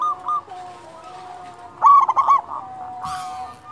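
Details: Local zebra dove with a big voice, sung as a lure for other doves; one short burst of quick, bubbling cooing mid-clip amid faint background coos and a brief rustling noise.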